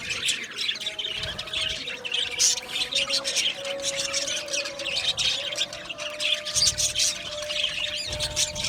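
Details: Colony of Australian budgerigars in an aviary gives constant scratchy warbling and high chirps, many birds calling at once over a faint steady hum.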